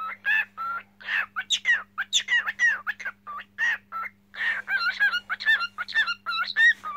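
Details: Cockatiel song from a pet bird, a busy string of short whistled and warbling notes that rise and fall, coming in quick clusters with small gaps, over a low steady hum.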